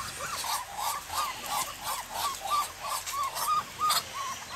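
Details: Muscovy duck in a garden giving short, soft, arched quacking notes, about two a second, in a steady run over a hissy background.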